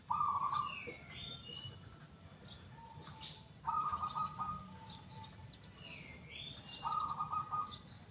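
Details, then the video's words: Zebra dove of local stock singing actively, loud and clear in the big 'kung' style: short bursts of fast, rolling coos, then softer low coos between them, with high slurred whistles of other birds in the background. "PERKUTUT LOKAL GACOR SUARA KUNG BESAR YANG KERAS & JERNIH"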